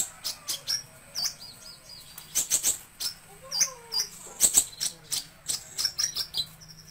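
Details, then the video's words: Van Hasselt's sunbird (kolibri ninja) song used as a tutor recording for training cage birds: short high thin chirps and sharp ticking notes in quick irregular bursts, with a few lower slurred whistles in the middle. "Suara Burung Terbaru 2020 - Kolibri Ninja (Konin) Cocok Untuk Masteran"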